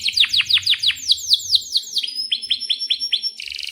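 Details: Canary song, a lively singing bird used as a model for young canaries learning to sing: rapid series of falling whistled sweeps, then a run of shorter notes and a closing buzzy trill.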